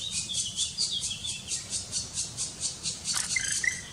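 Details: Black woodpecker chicks being fed by an adult in the Karst region of Slovenia in May 2018 beg with high, hissing buzzes repeated about three times a second. A few thin whistled notes come in near the end.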